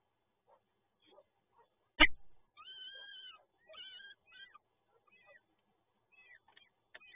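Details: Nest of peregrine falcons at PGE Toruń, Poland, 30 April 2022, with chicks being fed. A sharp thump is followed by drawn-out, quavering cries, then shorter broken whines fading toward the end.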